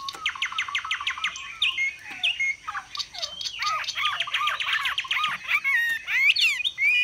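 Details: Caged Chinese hwamei, a Vietnamese songbird kept for its voice, singing high and displaying steadily. A quick run of repeated upslurred notes opens the song, then varied twittering phrases and sharp clear whistles near the end.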